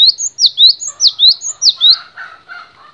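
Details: Rapid high swooping whistles from a cinereous tit, repeated in quick succession, followed by softer lower chattering notes in the background.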